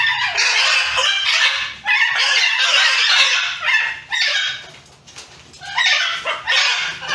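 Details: Several wild macaw parrots fight among themselves, loud grating squawks overlapping almost continuously, each screech rough and broadband, with a short quieter gap before the harsh outbursts resume.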